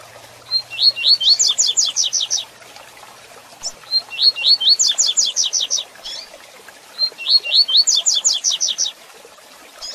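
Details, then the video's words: A Double-collared seedeater (coleiro pardo) sings its 'tui tui zel zel' song, used to train young or moulting birds: three bright, high phrases of sharp, slurred notes climbing in pitch, repeated about every three seconds over a quiet background. "Coleiro Pardo Tui Tui Zel Zel Top Para Encarte De Coleiro Novo ou Em Muda De Penas"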